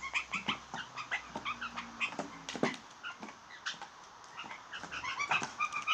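Blue jays give a rapid jumble of short, squeaky, nasal notes, some yelping and whimper-like, tumbling over one another with scarcely a pause.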